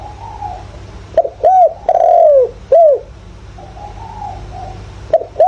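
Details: Decoy spotted dove in the 'thổ' voice style, calling to stimulate wild birds: a run of hollow arched coos ending in a long falling note, then softer background cooing and another brief coo phrase at the end.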